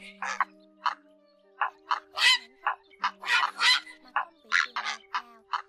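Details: Flock calling of grey herons played as a night-trapping lure in the August 2024 bird season. Short harsh squawks and croaks sound in separated bursts, with a few louder grating calls midway and steady low tonal hum beneath.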